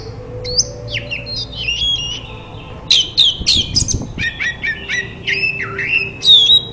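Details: White-rumped shama song used as a training recording to prompt a silent caged shama to answer and sing: varied loud whistled phrases, sharp downslurred notes and chattering bursts in quick succession, with faint low hum behind.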